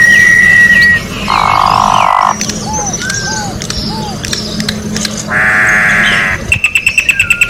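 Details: Orange-backed troupial in nature, giving a clear high whistle, a harsh buzzy blast, three short soft downslurred notes, a second rasping burst, then a fast train of clicks.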